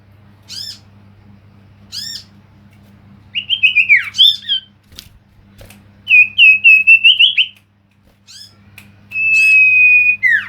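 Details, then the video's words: Lure song of a male common iora: sharp, high chirps spaced about every one and a half seconds, then bursts of rapid trilled notes and long steady whistles, with a constant low electrical hum beneath. "pancingan cipow jantan"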